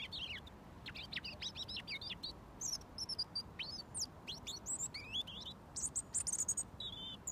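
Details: A robin singing from about a foot away, waiting for mealworms from its daily feeder; a stream of high, fast warbling notes, sharp downslurs and tinkling trills in short bursts, with low outdoor hum behind.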